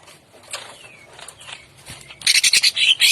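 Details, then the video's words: Greater green leafbird singing in the morning in the 'ngentrok jambul' style. Faint high twitters and thin slurred whistles lead into a loud, harsh, buzzy burst of rapid high notes that lasts about a second at the end. "Pancingan Cucak Ijo Gacor Ngentrok Jambul 100% Efektif Tembakan Kasar Di Pagi Hari"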